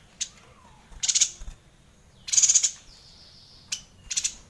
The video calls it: Suara Yuhina Gacor Ngerol panjang